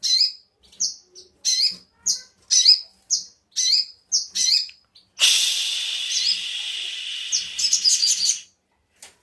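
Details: Sogon singing, recorded as a lure to set other birds singing: a steady series of high, clipped, downslurred chirps repeated roughly every half second, then a long harsh hissing noise partly covering further chirps.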